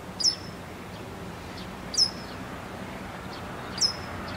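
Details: A Japanese wagtail holding a large caterpillar in its beak for tens of minutes gives three sharp, high, clipped calls about every two seconds over a steady hiss of outdoor background noise.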